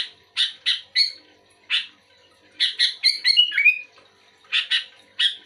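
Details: Sooty-headed bulbul responding to another bulbul: spaced harsh chirps, then a quick tumbling series of buzzy notes and sliding whistles, then more paired chirps.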